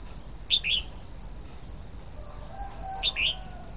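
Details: Red-whiskered bulbul singing a pair of short, lilting whistled phrases, each of two or three notes, separated by about two and a half seconds of quiet hum and a steady high whine.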